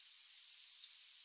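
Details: White wagtail (Motacilla alba) song: three quick, thin, high chirps in a brief twittering burst over a soft background hiss; the bird characteristically moves its tail while singing.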